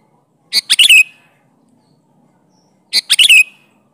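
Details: Sooty-headed bulbul (kutilang) singing in full voice with wild-style phrases, used as a lure to draw bulbuls into answering: two short, bubbly, chattering phrases, each ending in a slurred note, about two and a half seconds apart, in a quiet background.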